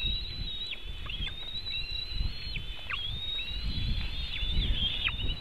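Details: White-tailed eagle at a nest webcam in Latvia, June 24, 2018, around 3:23 pm while eaglets are fed fish, giving thin, high, drawn-out whistles with quick downward slurs about once a second over steady low wind.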